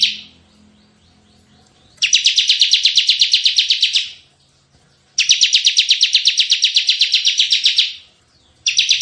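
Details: Bar-winged prinia delivering tembakan-style bursts for luring and tutoring: three high, rattling trills of fast repeated notes, each about two seconds long, separated by short pauses.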